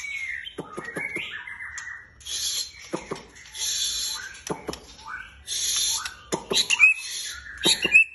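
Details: Caged white-rumped shama with a long tail, delivering sliding whistles and scratchy buzzes separated by loud sharp clicks, then brief bright whistled flourishes near the close.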